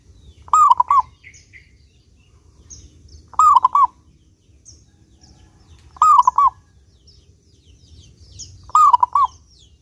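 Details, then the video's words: A clear-voiced local zebra dove, used as a lure for other doves. Four bubbling coo phrases recur about every 2.7 seconds, each a quick series of soft notes. Light chirping from other small birds is heard between them. "Perkutut Lokal Gacor Suara jernih ini Paling Ahli bikin Pancingan Burung Perkutut Agar rajin Bunyi"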